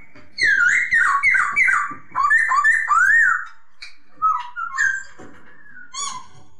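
Masked laughingthrush giving loud, slurred whistled phrases in a quick rising-and-falling series, then a few softer, lower whistles after a pause.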